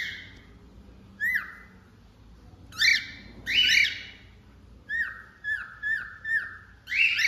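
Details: Whistled song of a pet cockatiel: rising and falling notes, harmonics stacked above, then a run of four short even whistles, level and slightly rising, over a faint low background hum.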